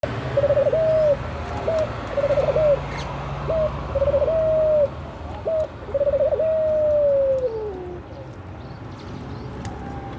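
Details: Puter pelung dove, a collared dove said to be wanting to mate, calls steadily: several short rolling coo phrases near one pitch, each ending in a long smooth note that slides downward, repeated over ten seconds with low background rumble.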